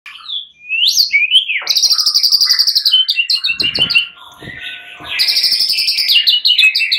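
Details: Many fighter white-rumped shamas answer each other, becoming agitated: loud, varied song of rich whistles, sweeping slurs and fast, buzzy high trills in rapid bursts as rival birds reply.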